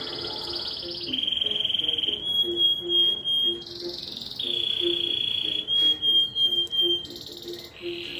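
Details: Domestic canary of the Rompe Nuvem type singing in a song competition in Juiz de Fora, Minas Gerais, Brazil: long sustained buzzy rolls and trills held one to two seconds each, shifting between pitches, over a faint low background hum.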